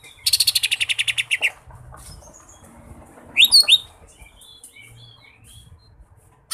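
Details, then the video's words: Green leafbird (cucak ijo) singing in mini jamtrok style, song filled with kapas tembak imitation: a fast run of about twelve buzzy rattling notes, then soft scattered chirps and a burst of sharp high twitters. "Cucak Ijo Mini Jamtrok Full Durasi Isian Kapas Tembak"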